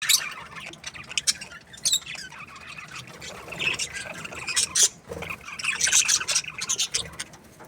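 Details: Budgerigars in an aviary, a chorus of scratchy high chirps and warbles in short irregular bursts, several birds calling over one another with brief quieter gaps.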